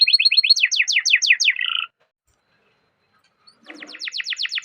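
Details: Canary singing a long rolling song, used to stimulate other canaries: a rapid, high trill of repeated downward-sweeping notes for nearly two seconds, ending in a buzzy note, then silence before another fast trill starts.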